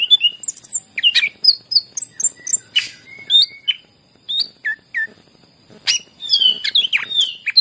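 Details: Greater green leafbird singing, a recording for stimulating other leafbirds to sing: lively mix of high whistles, downslurred notes and harsh chirps, with a brief quiet spell mid-phrase.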